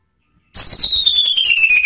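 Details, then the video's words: Orange-headed thrush (Anis Merah) lure song in the ngeplong and ngeriwik style, used to train cage birds: one loud, clear whistle that slides steadily downward for over a second after a brief silence. "memancing ANIS MERAH BUNYI NGEPLONG ¦ PANCINGAN KICAUAN ¦ NGERIWIK"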